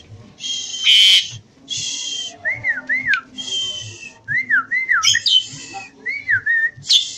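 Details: Javan pied starling singing actively: bursts of harsh, broadband chattering notes alternate with clear whistled phrases that rise and fall in quick wavy loops, several notes grouped together. Faint low background hum throughout.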